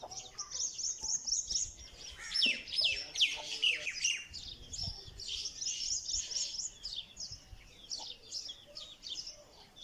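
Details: Newborn black francolin chicks kept for sale: dense, high-pitched chirping and peeping, many short overlapping notes from several chicks, almost continuous for ten seconds, with faint low background noise.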